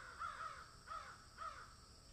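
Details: Crow calling while eating food: three short harsh caws spaced about half a second apart, over a steady high hiss.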